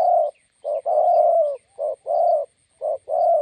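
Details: Spotted dove cooing at a roadside site in Gia Lai, Vietnam, a decoy bird meeting a wild bird: loud, hoarse coos, short notes alternating with long drawn purrs, sung in quick succession.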